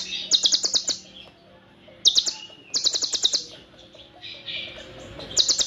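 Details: Long, tight cililin fill-ins from an olive-backed sunbird: fast runs of shrill, closely spaced chirps in three main bursts, with quieter warbling between them.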